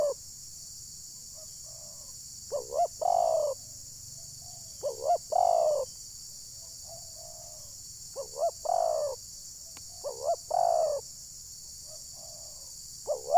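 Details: Decoy spotted dove calling during a bird-trapping session in Desa Satu Ujung Batu, Rokan Hulu, meant to provoke wild doves. Repeated low phrases: a quick double note followed by a drawn-out descending coo, about every two to three seconds, faint hiss behind.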